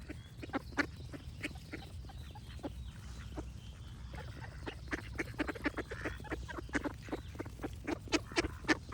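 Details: Ducks quacking at a distance, scattered nasal calls at first, then a denser run of quick quacks toward the end, with soft bird whistles and a low background drone.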